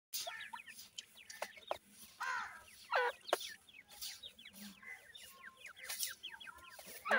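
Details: Twenty-eight-day-old francolin chicks feeding in a yard give rapid, high, descending peeps that overlap in a busy chorus, mixed with sharp pecking clicks and taps.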